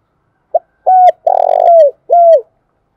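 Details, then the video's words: Spotted dove used as a calling lure for trapping: one full phrase of low coos, a brief opening note, a smooth coo, a long grainy coo that falls at the end, and a closing downward coo. No other noise. "tiếng cu gáy mồi chuẩn Gáy Gọi dùng kích bổi hiệu quả"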